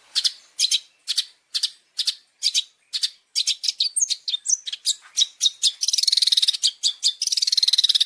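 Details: Cendet, the long-tailed shrike, in a tutor recording of champion fill phrases for caged birds: a steady run of sharp chirps about twice per second, speeding into rapid buzzy trills near the end.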